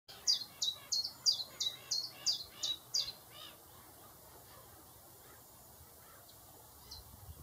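A chiffchaff gives about eight sharp, high notes, roughly three a second, alternating slightly in pitch, then stops. Faint distant chirps follow.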